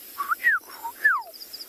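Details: Eurasian golden oriole calling close by at sunrise on 14 February in Tswalu Kalahari Reserve, South Africa, a mostly silent bird: watery, liquid whistled notes, a few short slurred phrases sliding down, with faint high chirps behind.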